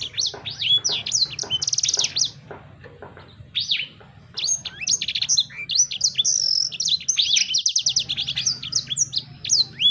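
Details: Energetic sanger bird singing: sharp chirps and a buzzy trill open, a quieter pause follows, then a long busy passage of high slurred notes and dry rattling trills.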